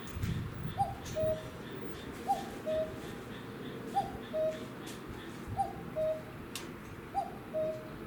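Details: Common cuckoo perched on a utility pole by a garden, late May late afternoon; five steady two-note cuck-oo calls, high short note then lower held note, repeating about every one and a half seconds, with faint background noise.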